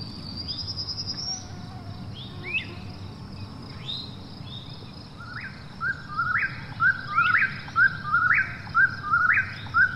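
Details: Eastern whip-poor-will at night: faint, distant phrases at first, then loud, evenly spaced whistled calls with snappy rising endings, repeated about once a second over a low background hiss.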